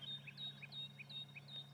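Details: Sunrise morning bird chorus in Sabi Sand, South Africa, on 27 August 2016, near impala: high, thin chirps and whistles repeating in quick succession.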